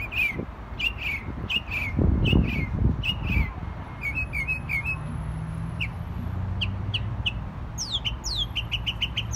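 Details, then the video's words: Jay singing a run of short, sharp downward-slurred whistles repeated about every half second, pausing, then resuming with quicker upswept notes in a brief burst, against a steady low rumble. "Jay Bird Singing"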